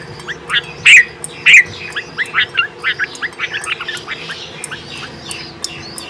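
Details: A bulbul mother feeding and calling her twin chicks: two loud, harsh notes with a rapid stream of high, thin chirps about one and a half per second throughout.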